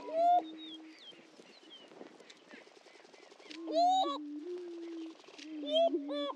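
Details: Greater prairie-chickens on a historic lek at Dunn Ranch Prairie, Hatfield, Missouri: deep droning booms underlie loud, ringing whoops and cackles at the start, near four seconds and again near six.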